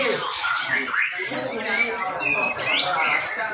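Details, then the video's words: A grey-cheeked bulbul named Sinao, the winner at a songbird contest in Tideng Pale, North Kalimantan, delivers a dense, rapid run of chattering and slurred whistled notes without pause, over a hum of crowd chatter. "Cucak Jenggot Sinao Besetannya Rapat"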